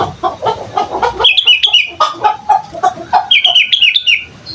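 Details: A young sooty-headed bulbul practising its song. Soft, low clucking notes open the recording, then a series of clear, quick, warbled whistles rises and falls in short bursts.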